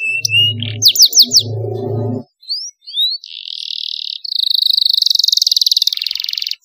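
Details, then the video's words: Young canary master song in the cengkok mewah style: a few sharp upward whistles over a low hum, a brief pause, two rising slurs, then a steady buzzy tone and a fast high rattling trill. "MASTERAN KENARI PAUD CENGKOK MEWAH SUARA JERNIH DURASI PANJANG"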